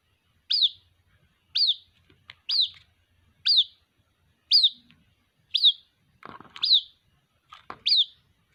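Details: Young white-breasted waterhen calling to its mother with a steady series of high, downward-sliding chirps roughly once a second, about eight in all; a brief rustling noise near the end.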